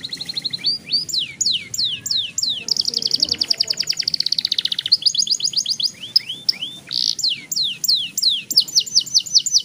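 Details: Long rolling song from a young canary, meant to spur other young canaries to sing quickly: bright, shrill rolls of rapid repeated notes mixed with swooping whistled slurs, sustained almost continuously.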